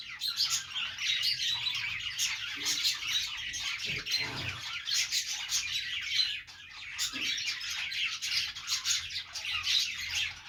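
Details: Lively budgerigar chatter during play: many overlapping high chirps, warbles and squeaks running continuously, with a few soft low knocks in the background.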